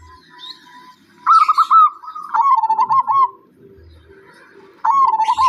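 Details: Zebra dove giving rolling, warbled cooing phrases in two loud bursts, with a third starting at the end. Quieter low murmuring continues underneath between the phrases.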